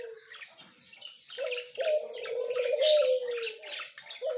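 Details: Pair of budgerigars, white male and yellow-green female, October 30, 2024: soft scattered chirps and squeaks that grow louder, set against a prominent low, slightly wavering drawn-out tone.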